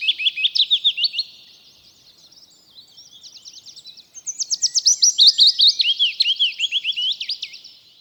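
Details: Willow Warbler singing in British countryside in spring, after returning each April: soft, sweet, high notes tumbling down the scale in a gentle cascade, one short phrase followed by a longer one. No other sounds.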